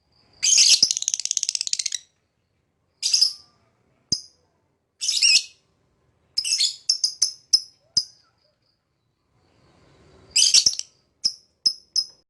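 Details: Lovebird bursting into a long, buzzy, rattling chatter, then mixing harsh squeaky phrases with short clipped high chirps, pausing briefly before another rasping burst and a quick trio of chirps.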